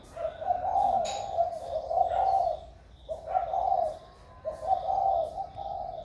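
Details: Spotted dove recorded 16 February 2020, newly in warm voice, repeating soft, deep, rolling coos in evenly paced phrases roughly every one and a half seconds.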